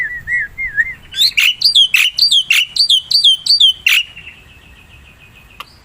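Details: Black-winged myna recorded wild for use as a lure: three soft wavering whistles, then a run of loud harsh notes that swoop downward, ending in a thin steady tone.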